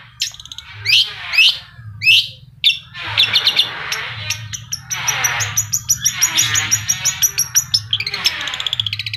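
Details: Long-tailed shrike singing over loud engine noise: several sharp downslurred high notes, then harsh noisy chattering bursts with rapid repeated chips, under a constant low humming engine.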